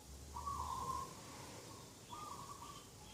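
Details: Dove at a garden edge in the morning, 2 October 2021: two level coo notes, the first rolling and longer, the second after a short gap, over faint low rumble and hiss.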